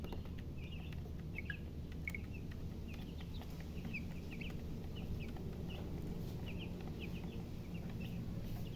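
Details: Faint, sparse chick peeps, short high chirps repeated every half second or so, partly buried under strong low rumbling noise.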